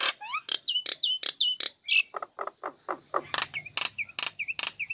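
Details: Female Nias hill myna in a cage, uncovered and singing loudly, used to lure lazy birds into song; dry clicks alternate with short curling whistles, then a string of lower knocks and more looping whistled phrases.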